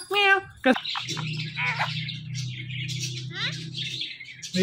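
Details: Talking Indian ringneck parrot: a short harmonic, voice-like call opens, then continuous scratchy high chatter and descending squeaks over a steady low hum, with a sharp call at the close.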